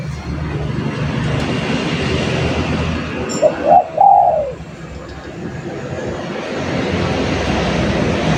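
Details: Spotted dove cooing a single phrase midway: two short hollow notes, then a longer drawn-out coo that falls at the end. A steady low background hum runs throughout.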